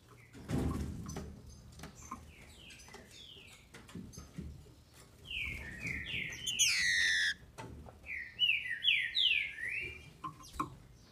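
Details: Caged female green-winged saltator from a Brazilian breeder, sung to excite males: early soft chips and a thump, then bursts of descending whistled notes in rapid groups, with a brief harsh burst midway.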